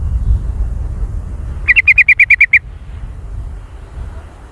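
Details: Jontrot-style song of a sooty-headed bulbul: one fast, even run of about nine sharp chipping notes lasting under a second, with quiet low rumbling noise before and after.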